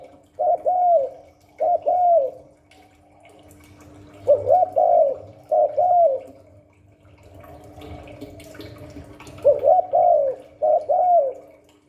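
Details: Spotted dove, 'Hạp Bổi 38' voice style, delivering paired coos: a quick upslurred note then a drawn-out descending coo, given in three pairs separated by pauses, with faint gurgling and rustling between phrases and a constant background hum.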